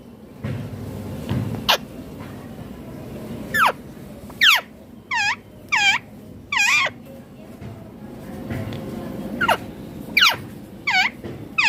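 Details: Indian ringneck parakeet, a green parrot, calling in a burst of harsh, nasal squawks with strong overtones, some paired, against low murmuring background noise and faint clicks.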